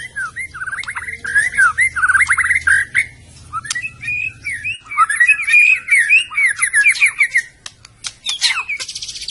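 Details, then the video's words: White-rumped shama of the Medan type producing long runs of rapid chattering, slurred notes, rising and falling, with a short high buzz at the end. "kicau burung murai batu medan"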